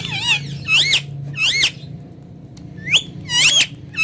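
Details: Ringneck parrot, a talking pet filmed face to face while speaking Urdu and Hindi. Rapid series of harsh, screechy squawks, each arching up then down, bursting roughly every half second with short pauses, and a low hum underneath.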